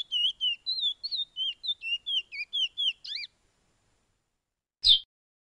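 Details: Caged chestnut-bellied seed finch (picolet or curio) of Suriname in a 'pije pije' training song: clear, high whistled notes in quick slurred pairs, about thirteen phrases, ending in a sharper chirp; a single click follows after silence.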